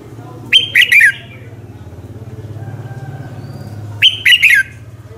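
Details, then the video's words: Red-whiskered bulbul morning song, meant to call and excite other birds into singing; two three-note whistled phrases ending in a downward slur, about three and a half seconds apart, with a steady low engine-like drone underneath. "luyện giọng chào mào hót buổi sáng, Hót hay nhanh lửa"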